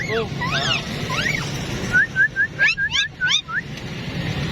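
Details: Pair of talking parrots, called a wife and husband, filmed in 2022: curving whistled and chattering notes at first, then a run of short, quick, repeated chirps over a low rumbling background.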